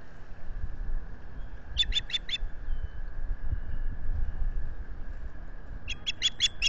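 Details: Osprey calling at a nest in New York's Finger Lakes, late April 2022, recorded by a solar nest camera: a quick burst of four piercing chirps, then after a long gap another run of five, with wind rumble beneath.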